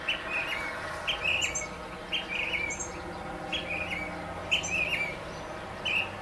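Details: Northern mockingbird, a male on top of a mesquite tree in central Arizona, repeating a chirpy, slightly buzzy phrase about every second, with a low background hum.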